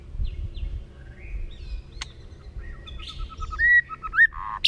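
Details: Forest-style song of a white-rumped shama, sung to rouse young birds: soft distant whistles and a quiet run of repeated notes over a low background rumble, then louder clear slurred whistles near the end.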